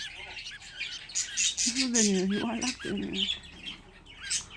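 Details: Budgerigar chicks, fifteen of them in one place, chirping steadily in high thin notes while a human voice speaks over the middle of the passage.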